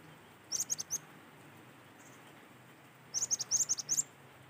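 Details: Cinereous tit in natural surroundings, apparently Sumatran, singing lively, high, thin, sharp whistled notes in two quick bursts of four to eight rapid repeated notes, separated by a pause, over faint low hum.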